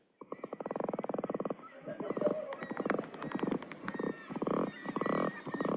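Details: Atlantic Puffin song, described as sputtering snores: low rapid trains of rough pulses in bursts about a second long with brief gaps, reportedly the only noise they make; a Maine bird.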